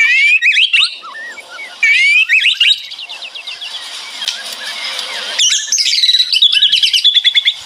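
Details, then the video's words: White-rumped shama singing rattling 'ngeretek' phrases, birds answering each other; bright whistled swoops, a long stretch of hissing rasp, then a fast run of rapid repeated chips and sliding whistles. "Suara Murai Batu Ngeretek"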